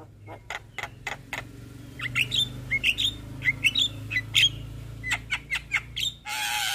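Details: Javan myna (jalak kebo) singing lively mimicked phrases: spaced harsh clicks, then short rising whistles and squeaky chirps repeated roughly every half second, ending in a burst of broadband noise.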